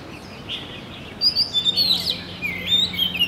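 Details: An Oriental magpie-robin gives a short run of sharp, sliding whistled notes and chirps, starting after a soft opening note, with a low steady hum and light hiss in the background.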